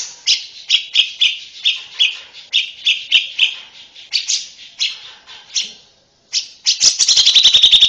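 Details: Oriental white-eye female pouring out ngeriwik song: evenly spaced, high, thin chirps at a brisk pace. A brief silence follows, then a rapid, shrill trill-like chatter.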